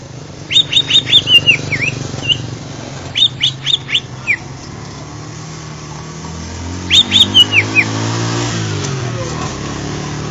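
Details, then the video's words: Greater green leafbird (Chloropsis sonnerati), a contest songbird noted for its varied singing, gives three separate phrases of bright whistled notes, each ending in downward slurs, with a low rumbling engine-like noise underneath. "Burung Cucak Hijau Berkualitas / Cucak Ijo Gacor"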